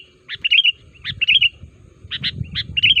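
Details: Sooty-headed bulbul lure call meant to draw wild bulbuls to reply. Quick bubbly trilled phrases mix with sharp doubled chirps, repeated about every half second, over a low rumble.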